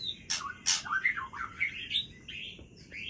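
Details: White-rumped shama (Aceh type) singing at midnight: a varied run of clear whistled notes gliding up and down, broken by a few harsh, scratchy bursts in a quiet setting.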